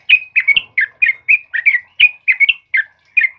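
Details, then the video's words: Yellow-vented bulbul of the trucukan kebo type singing vigorously in the morning: short bubbly chirped phrases, about a dozen in under four seconds, each a quick rising-falling warble, with faint low knocks in the background. "suara burung trucukan GACOR PAGI HARI"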